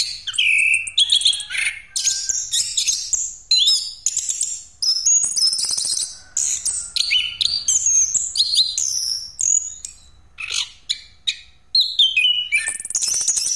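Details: A long rolling pastol performance by an orange-headed thrush, used as a lure. It is dense and energetic, mixing high whistled slurs, buzzy rattles and sharp chips in a steady stream with only short breaks.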